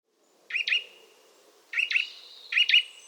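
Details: Eurasian nuthatch calling with sharp, doubled 'chwit-chwit' notes, three pairs over about two seconds, with a faint low rumble in the background.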